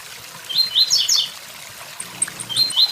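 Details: Tiziu, or blue-black grassquit, giving its 'tui tui zel zel' song near a waterfall: one sharp, high, chirped phrase of rapid notes, then the start of another, with splashing water below.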